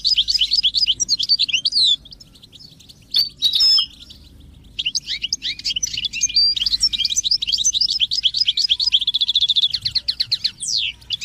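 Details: European goldfinch, a songbird kept by owners, pouring out long high twittering phrases of quick chirps and trills, with a brief pause near the start.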